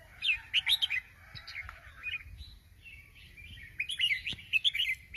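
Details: Sooty-headed bulbul singing actively: quick bubbly chirped phrases, a pause of softer warbling, then another lively cluster of bright chattering notes; quiet recording with low background hum.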